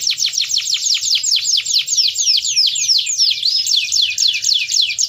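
A canary sings a loud, rapid run of high, sweeping notes, rolling and trilling continuously with faint low background hum.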